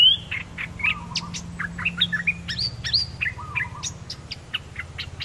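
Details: Red-whiskered bulbul decoy song from a pair of newly trained birds. It is a lively stream of clipped chirps, warbled whistles and a few sharp upslurred notes, with a steady low hum underneath.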